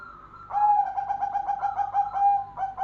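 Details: Golden zebra dove in full song: a soft lead-in note, then a long rolling series of quick throbbing coos at a steady low pitch. A fresh phrase starts right at the end, with little else audible.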